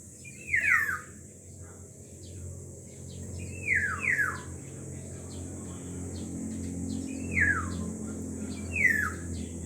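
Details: Black-naped oriole, two birds: loud, fluty whistled notes that slide downward, given about every three seconds, over a steady high hiss and low rumble.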